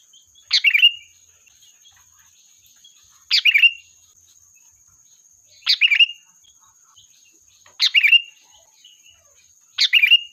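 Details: Sooty-headed bulbul calling to gather its flock, a lure recording: five brisk, bubbly phrases, each a quick burst of chirps ending in a short clear note, repeated every two to two and a half seconds against a thin constant high tone.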